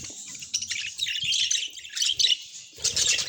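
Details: Budgie chatter made of scratchy, warbled chirps in uneven bursts, pausing briefly near the third second before resuming. Light low tapping sounds are heard beneath.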